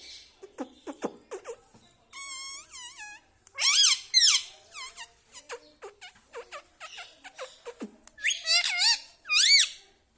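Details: Pet bird parrot talking mummy, papa and radhe radhe; wavering, rippling high notes, looping squeals with rich overtones and many short sharp clicks between them, in irregular phrases.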